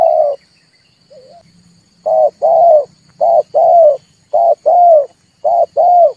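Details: Red turtle dove coos for luring birds into traps: after one coo and a soft gurgling note, a steady series of low paired notes, a short and a longer one, repeated about once a second, faint high whine behind.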